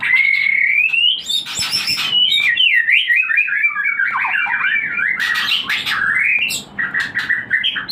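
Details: White-rumped shama song used to stimulate breeding birds: loud, rich and varied, with a rising whistle leading into fast warbled, wavering phrases and sharp chattering bursts, played continuously.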